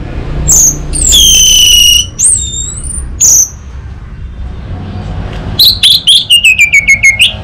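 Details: A caged orange-headed thrush gives varied song: long, pure, gliding whistles and slurred notes, then a rapid, evenly spaced string of short whistled notes that steps downward. The background is quiet apart from low hum.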